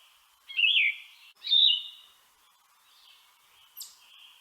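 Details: Yellow-throated Vireo singing: two loud raspy slurred phrases in quick succession, then softer hoarse notes and a brief high scratchy downslur, with a scratchy, voice-cracking, sore-throat quality.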